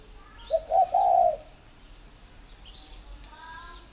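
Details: One loud, mellow coo phrase from a spotted dove at a dove garden in Ba Vì, Hanoi, Vietnam, a call taken as a sign of readiness to pair, followed by quiet with distant high chirps.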